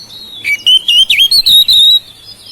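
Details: Loud, clear song of a kept oriental magpie-robin, used to get silent birds singing: a short phrase of dipping and rising whistles ending in a long, steady high whistle.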